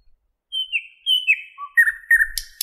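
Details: Brief phrase from a thrush nightingale singing in a Moscow park on 11 May 2016: two clear falling whistles, then lower slurred notes and a final click.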